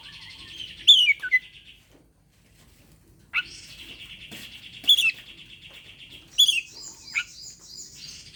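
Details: Oriental magpie-robin calling a rival to fight, played to prompt birds that rarely sing: whistled flourishes leading into long grating buzzy trills, separated by a brief silence, with bright high accents scattered through.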